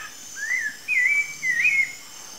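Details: Wild Rufous-bellied Thrush (Turdus rufiventris), free in nature: three clear whistled phrases near the same pitch, rising then wavering, with short pauses between them, over a faint steady high hiss.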